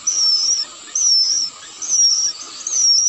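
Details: Young sooty-headed bulbul (Pycnonotus aurigaster) maturing, fed by its parent: thin, high, wheezy wavering begging calls, each about half a second, about one a second, over a faint low hum.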